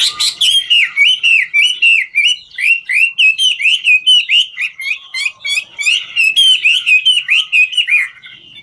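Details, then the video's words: Chinese hwamei of 'ngũ trường' quality singing while dancing, delivering steady repeated whistled notes about four per second, each a quick rise and fall, bright and evenly paced, ending in a brief quiet. "Họa mi ngũ trường hót múa cực chất"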